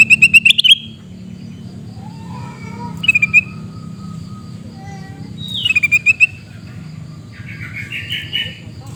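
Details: Sooty-headed bulbul calling in Busu Reului, Mutiara, Pidie, Aceh: three short bursts of rapid, sharp chattering notes, each lasting about half a second. Fainter whistles and other bird calls fill the gaps over a low background hum.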